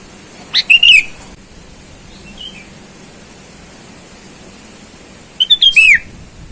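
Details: Wild sooty-headed bulbul calling to rivals, sound used to lure wild bulbuls: two loud bubbly phrases of stacked chirps with a falling whistled ending, about five seconds apart, a faint distant note between them over steady hiss.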